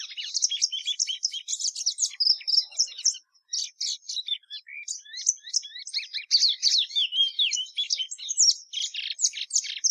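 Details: Song of the plumbeous seedeater (patativa verdadeira): a long, rapid, continuous stream of high chirps, trills and whistled slides, briefly interrupted around the third second, then resuming densely.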